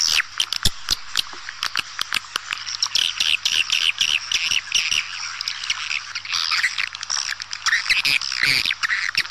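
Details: Swiftlet calls used to attract swiftlets: a dense, continuous chatter of high twittering and chirping notes with many sharp clicks throughout.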